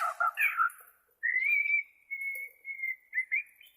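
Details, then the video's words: Bornean white-rumped shama singing in its natural voice, meant for tutoring caged shamas: a rough opening warble, then one long sustained pure whistle, followed by a few short whistled notes. "SUARA ASLI BURUNG MURAI BORNEO"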